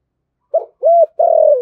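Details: Spotted dove, thổ sấm voice, in thúc gù rapid cooing: a short clipped note, an arched coo, then a long steady coo sliding downward at the end.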